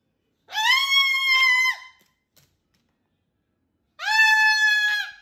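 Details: Cockatoo playing with its owner indoors, giving two loud, harsh, sustained screeches about a second long each, separated by a short silence.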